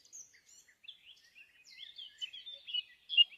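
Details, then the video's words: Wild bird singing outdoors: soft, high, thin chirps and twittering phrases, scattered at first, then a quicker warbling run growing louder toward the end, with no other sounds. "suara merdu burung dialam."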